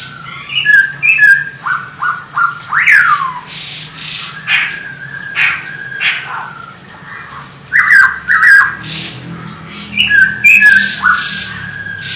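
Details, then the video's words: Chinese hwamei song used to provoke other birds: loud varied whistled phrases with sharp rising sweeps and slurred notes, broken by short pauses, against a faint low hum. "OCEHAN Poksay Hongkong Gacor Efektif Bikin Burung Kesayangan Bos q Ikut Emosi + GACOR"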